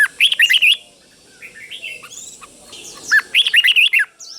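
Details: Teacher recording of a red-whiskered bulbul for caged birds to learn, doubled style: a quick bubbling phrase of about six whistled notes, a quieter interlude of softer chirps, then the phrase repeated.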